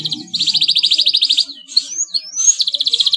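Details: Male yellow canary, slightly in breeding condition, in full song: a steady buzzy high trill, then sharp rising whistled slides, then the rapid trill again, with a faint low rumble underneath at the start.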